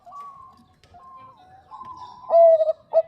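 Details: Female Bangkok zebra dove calling to the male. Drawn-out, even tonal coos give way to a loud burst of rapid, rolling, warbled cooing, then one last short coo.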